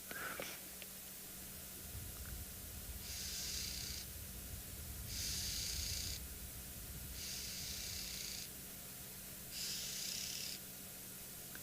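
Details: Red-billed oxpecker near a herd of kudu at water on an afternoon safari drive in a South African game reserve on 3 September 2021, giving four harsh, hissing buzzes, each about a second long and about two seconds apart, over a low engine hum.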